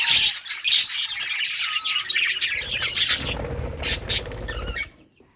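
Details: Rare-coloured pet budgies playing with toys, chirping in bright, high twittering bursts that give way to a rumbling low noise before fading to near silence at the end.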